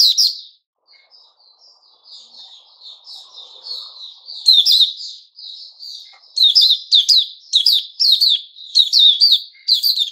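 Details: White-rumped shama on 29 August 2021 starting with a soft continuous warbled subsong, building into loud staccato whistled notes delivered in rapid, evenly spaced bursts.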